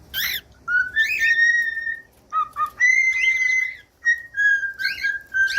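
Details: Cockatiel song in a pet setting: long, pure whistled notes that hold steady or slide, mixed with short warbling chevron-like chirps, several phrases in quick succession.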